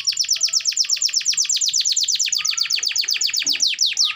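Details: Gacor (constantly singing) canary song, meant to prompt lazy canaries to sing: a fast, even run of high descending sweeps about ten per second, slowing into a few longer slurred notes at the end.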